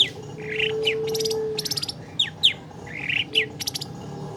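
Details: Caged long-tailed shrike song used as a lure to make a reluctant caged bird sing: harsh buzzy bursts, sharp downslurred notes and rattling trills, with a faint steady tone and low background noise.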